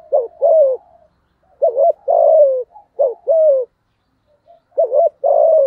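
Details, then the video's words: Spotted dove cooing in thổ voice to draw out a rival male; repeated two-part phrases, a warbling short coo and a sustained falling coo, delivered about once per second and a half. "Tiếng cu gáy giọng thổ thúc gù kích bổi hiệu quả/ chim cu gáy kích bổi"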